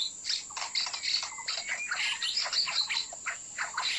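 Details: White-rumped shama song played as a trapping lure: dense, overlapping bursts of sharp chirps and short whistled slurs, with a thin steady high whine throughout.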